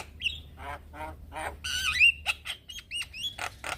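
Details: Male Javan myna calling young mynas: a whistled upslur, grating rasps, then a bright rising whistle followed by clipped harsh notes and short whistled slurs, all close and loud.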